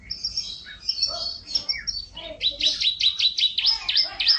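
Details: Loud-voiced yellow long-necked canary used as a master tutor singer: varied high whistles and chirps, then fast ringing trills repeated several times a second, building in strength toward the end.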